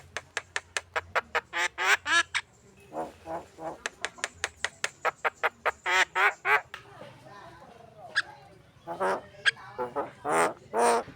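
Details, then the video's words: Javan myna song, used as a lure to stimulate contest birds: rapid series of harsh clicking, rattling pulses with short harmonic squawks, in dense bursts with brief gaps. "SUARA PANCINGAN ORIGINAL BURUNG JALAK KEBO GACOR SIAP LOMBA"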